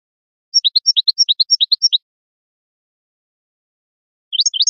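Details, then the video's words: European goldfinch singing a brisk, rhythmic alternation of high and lower chirps for about one and a half seconds. After a pause, another run of rising twittered notes follows. "تغريد الحسون ، ربع ساعة من صوت طائر الحسون"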